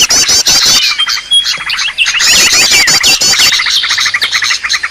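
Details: Green leafbird in an agitated, noisy call used daily to lure birds; dense, rapid high chattering with overlapping twittering notes and short upward whistles, several voices layered, about three notes per second.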